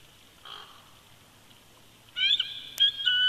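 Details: Winter duet from a bald eagle pair at the old nest, Big Bear Lake, California, 22 February 2020: a soft distant note, then loud ringing whistled calls that build and overlap, with a sharp click partway through.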